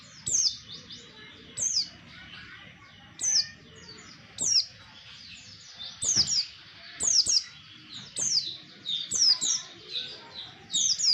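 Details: Oriental white-eye call used as a lure for trapping birds: very high, thin, quickly down-slurred chirps in short clusters, repeated about every one to one and a half seconds, over a quiet background.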